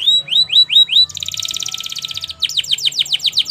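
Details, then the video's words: Canary song for training: four rising whistled slurs, a dense pulsed buzzy roll, then a quick run of repeated descending notes, loud and high-pitched throughout. "Best Canary Bird Sounds!! Suitable for your canary training"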